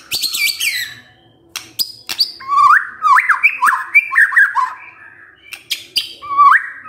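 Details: White-rumped shama song used as a lure to get a quiet male singing: sharp high chirps open, then a run of rich, looping whistled phrases rising and falling in the middle range, with brief clicks between phrases.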